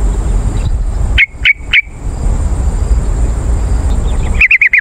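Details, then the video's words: Yellow-vented bulbul sound meant to lure wild birds: three clipped single notes about a quarter second apart, a pause, then the start of a fast chirping run at the end, over a steady hiss. "CEPAT RESPON PANCINGAN BURUNG TRUCUKAN AMPUH"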